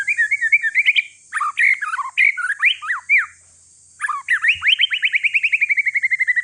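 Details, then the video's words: Aceh forest-stock white-rumped shama, one year old, singing loudly to provoke other shamas: jumbled chattering and swooping phrases, a short gap, then a long accelerating series of rising notes gradually dropping in pitch. "Si paling ribut murai trah hutan aceh COCOK UNTUK PANCINGAN"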